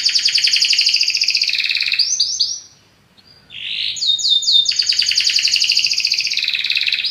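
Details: Belgian canary in full, powerful song: long dense rolling trills, a brief silent gap after short whistled notes, then a fast metallic rattle of rapidly repeated notes returning.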